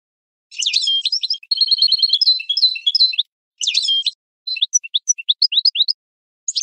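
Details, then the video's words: European goldfinch singing a training song for captive birds: a liquid, jumbled twitter with dense buzzy rattles, broken by short pauses and then a series of thin, separate rising chirps. "Goldfinch Singing 12h Training Song"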